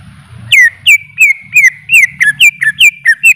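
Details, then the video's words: Greater green leafbird giving a series of clear, downslurred whistles, each dropping sharply in pitch. About three notes per second, fairly even, with a soft low murmur in the background. "Suara Burung Cucak ijo"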